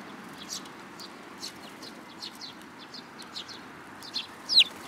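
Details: Sparrows approaching a hand for food at a Tenmangu shrine on 7 July 2022; soft scattered high chirps throughout, closing with one loud, sharp descending call.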